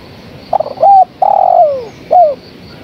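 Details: Female spotted dove calling the male: a single phrase of quick stuttering notes, a short arched coo, a long loud coo sliding downward, then a final brief down-slurred coo, mid-pitched and very loud.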